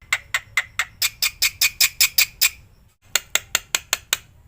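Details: Black-winged myna song for training other birds: a row of rasping, clipped squawks repeated roughly two and a half times per second, a short pause, then the same harsh series resumes over faint low background noise.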